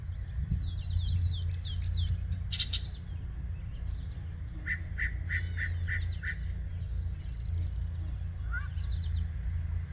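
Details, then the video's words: A Yellow-breasted Chat sings on a May 2023 morning, 10:12 AM, at Osborn Metropark in Huron, Ohio. Rapid high chattering notes open the song, then a series of five evenly spaced clipped notes follows. A heavy low background rumble runs throughout. "Yellow Breasted Chat singing."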